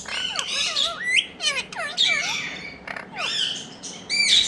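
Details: Talking parrots in India produce a dense string of harsh squawks and sliding, arched squeaky notes, delivered in quick uneven bursts with brief pauses.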